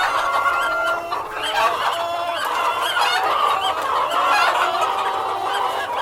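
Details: Flock of hens with a cockerel giving a steady murmur of overlapping nasal clucks and short wavering calls, with no pauses across the stretch.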